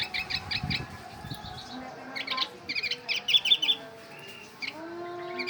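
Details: Oriental white-eye imitating a bulbul, giving rapid clusters of sharp high chirps repeated in quick bursts with brief pauses, over faint lower tonal hum and soft low background noises.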